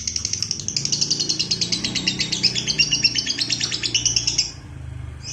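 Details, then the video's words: Lovebird delivering a long 'ngekek' trill used to train and provoke other lovebirds: about four seconds of rapid, piercing chatter that stops abruptly, leaving a soft hum. "SUARA MANCING BURUNG LOVEBIRD NGEKEK PANJANG,MELATIH BURUNG LOVEBIRD NGEKEK PANJANG"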